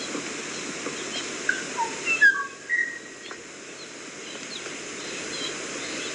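Kauai ʻōʻō giving a brief burst of clear, flute-like whistled notes, some slurred downward, over a steady background hiss.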